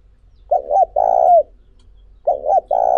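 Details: Spotted dove cooing, a recording used as a lure to stimulate other doves; low, hollow coo phrases, each a short double note followed by a longer drawn-out coo, repeated about every two seconds.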